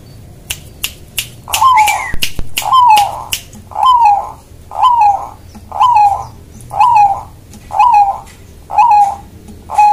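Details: Bangkok-type zebra dove greeting its owner: a series of clear, down-slurred cooing notes, about one each second, nine in a row, after a few sharp clicks at the start.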